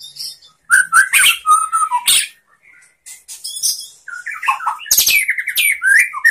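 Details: White-rumped shama training song for other shamas: harsh squawky bursts mixed with short whistled slurs, a brief gap, then dense high buzzy notes and quick rising and falling whistles.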